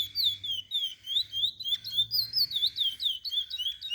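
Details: Chestnut-bellied seed finch song used to teach young birds: a continuous run of clear, high whistled notes, each slurred down or up, delivered about four per second in a flowing, slightly varied phrase.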